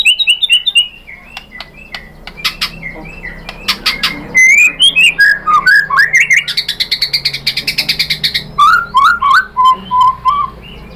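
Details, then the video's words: Provocation song of a white-rumped shama: scattered whistles and sharp clicks, then loud slurred phrases leading into a rapid rattling series of buzzy repeated notes, ending with steady whistled notes. "PANCINGAN MURAI ¦ SHAMA BIRD"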